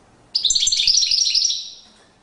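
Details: European goldfinch singing in courtship display, a quick burst of bright, tinkling high twitters and trills running about a second before trailing off.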